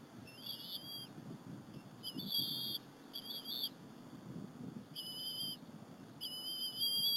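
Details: Bald eagle eaglets at the Berry College nest, 30 April 2015, sharing a squirrel lunch with their mother. Shrill, wavering whistled squeals come in about five separate bursts over a soft low rustle.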